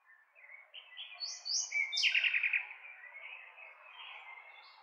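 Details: Singing nightingale with short whistled and rising notes that build into a fast, rattling series of repeated notes, then fade into softer, drawn-out whistles.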